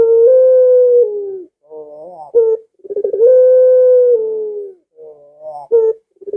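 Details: Cooing Barbary dove whose voice is used to draw kept doves into answering: long level low coos lasting over a second each, separated by quieter rising warbles and a sharp upward flick, repeated about every three seconds.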